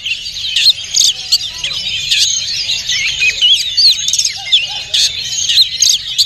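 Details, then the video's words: Unringed Oriental magpie-robin singing at a national bird-song contest: a dense, rapid stream of varied whistles, trills and chattering notes, high-pitched and overlapping as though several birds sing at once, amid music and clapping. "SUARA BURUNG : Kacer Hutan"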